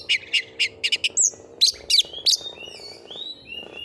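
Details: Oriental magpie-robin in full song: quick series of sharp clipped notes, then slurred whistles and a few drawn-out descending whistles, over a low background hum.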